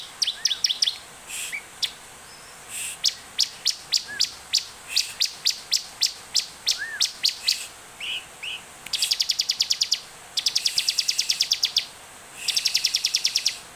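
A Bar-winged Prinia gives sharp, high chirps, several per second, then breaks into fast, dry, buzzy trills in bursts of one to two seconds.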